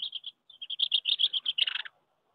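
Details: Common house martin courtship at nests on a wooden house, May 2023, during disputes over nest sites; a rapid train of short, dry chirps about ten per second ends in a harsher buzzy burst.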